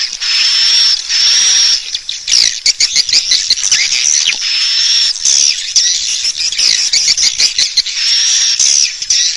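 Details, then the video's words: Swiftlet calling for a bird house roost: shrill buzzy chatter with a thin high whistle, interrupted by rapid clicks and twittering chirps across the recording. "Suara Burung Walet Panggil Tarik Inap Terbaik II SUARA PANGGIL BURUNG WALET"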